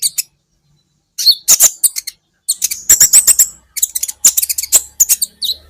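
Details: Kolibri ninja, the olive-backed sunbird, heard on a songbird training recording: bursts of shrill, rapid twittering and high slurred notes separated by short pauses.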